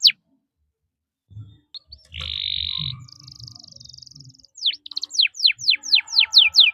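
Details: Canary song for tutoring young birds: after a quiet start, a harsh buzzy burst and a thin high trill, then a series of fast descending whistled sweeps over a faint steady hum.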